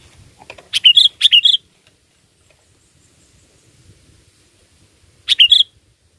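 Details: Sooty-headed bulbul song used as a lure for catching birds: three short bubbly whistled phrases, two close together early and one after a long quiet gap, over a faint low rumble.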